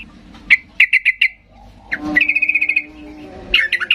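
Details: A yellow-vented bulbul, a lively singing bird, gives short, bright bubbly notes, then a fast chattering run, then more notes, over a low steady hum.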